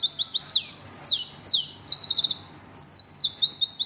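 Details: Rapid chattering song of an Oriental white-eye, with bursts of high, quick descending notes and short trills broken by brief gaps, continuous and lively throughout.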